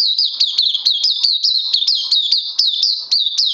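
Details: Caged oriental white-eye pouring out a continuous fast string of high, sweet rising-and-falling chirps, about four notes per second, with no pauses.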